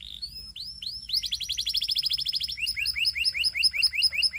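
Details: Canary song opening with a few rising chirps, then a rapid, even trill of upswept notes, shifting into a bouncier series of rising slurs.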